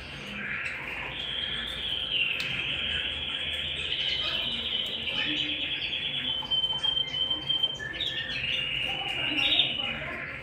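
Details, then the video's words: Canary song indoors: a long sustained rolling trill held for several seconds, later breaking into choppy stuttering notes and brief whistles, with a faint steady hum in the background. "canary bird - canary singing - canary sounds - canary singing at home"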